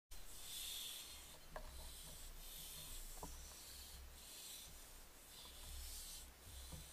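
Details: Barn owls on 15 June 2024 give harsh, breathy hisses that swell and fade roughly every second, over a low rumble of background noise.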